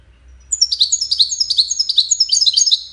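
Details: A European goldfinch, Wiidani type, gives a lively run of high chirps and buzzy trills. The notes follow closely for about two and a half seconds and grow denser near the close.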